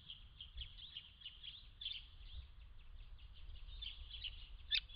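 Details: Large numbers of White-browed woodswallows at a pond in December 2016 give a steady, overlapping chatter of short, rough notes, with a few louder sharp calls standing out near the end above a low background hum.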